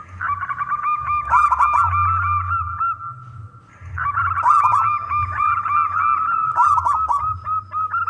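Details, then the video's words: Zebra dove of a local wild strain, a strong, frequent singer with a big voice, singing to draw other doves into song. Long runs of quick, rolling coos, repeated phrase after phrase with one brief dip, against a low background rumble. "perkutut lokal gacor suara besar"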